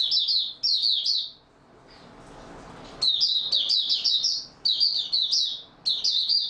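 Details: Oriental white-eye's stable-form song from 28 February 2022: loud, high twittering bursts, then a pause of about a second and a half, then steady runs of rapid, bright chirping phrases.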